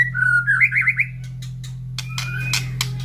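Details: White-rumped shama kept in a cage, placed near a breeding aviary in the morning after feeding while the other birds reply; quick wavering whistled phrase, then scattered clicks and a high thin whistle, steady hum beneath.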